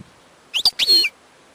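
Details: European goldfinch, wild, giving a short burst of bright, high twittering notes with a brief chirp before it, over a quiet background.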